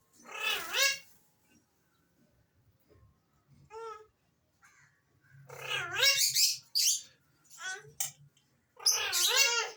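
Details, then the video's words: Alexandrine parakeets give harsh, harmonic calls in clustered bursts, some rapid and stuttering, with a softer bent whistle in between and quiet pauses. "Alexander Raw Parrots Talking and different Whistles"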